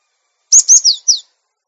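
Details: Cinereous tit for training untamed caged birds to sing; a single clear phrase of four high whistled notes, the first two rising and sharp, the last two sliding downward, in otherwise quiet surroundings.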